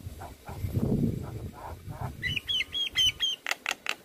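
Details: Javan myna training song: soft low rumbling and muffled notes, then a series of bright whistled squeaks and harsh chattering bursts.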